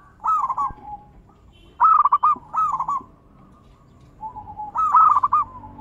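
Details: Lure singing of a zebra dove (perkutut) to stimulate other doves, with big-voice and bekur variations: rolling trilled coos in groups, a soft level coo between, then a final bright trilled phrase.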